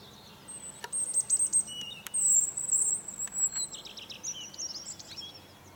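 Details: Morning song of a European robin perched on a fir tree: very high, thin drawn-out whistles followed by a rippling cascade of tinkling notes, with a few sharp clicks and faint hiss behind.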